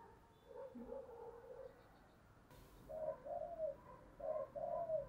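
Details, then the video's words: Spotted dove decoy cooing used to lure wild doves, low soft coos heard faintly at first, then a clearer series of four hollow notes with a longer falling one, over steady background hiss. "tiếng cu gáy mồi chuẩn dùng kích bổi hiệu quả"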